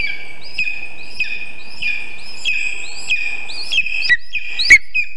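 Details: Lesser spotted eagle at its nest on a birch about 20 metres up in Zemgale, on the morning of 19 August 2023 at 9:24, when a vole was delivered. A nest camera picked up high whistled notes with rising overtones, repeated roughly twice a second.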